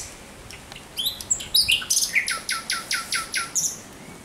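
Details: Night song of a thrush nightingale, 17 May 2023: a few sharp whistled notes lead into a steady series of about nine loud, evenly spaced, slightly descending chopping notes.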